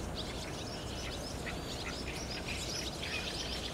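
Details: Barn swallows flocking into their roost on an overcast day, 30 June 2019, DSLR recording; busy high chirps and short twitters overlap densely across the whole clip, with a low hum underneath.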